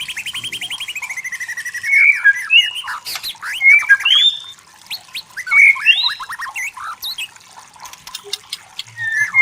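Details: White-rumped shama in forest, opening with a fast even trill, then loud ringing whistles, sharp upslurs and scratchy chatter, pausing briefly before a final whistle.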